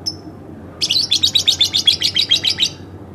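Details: A pet lovebird kept at home: one thin chirp, then a fast buzzy trill of about a dozen rapid repeated notes lasting nearly two seconds.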